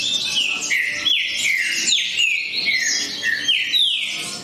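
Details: Green-winged saltator singing: a steady run of loud, clear whistled phrases, each a bright note sliding downward, repeated about every half second with little background noise.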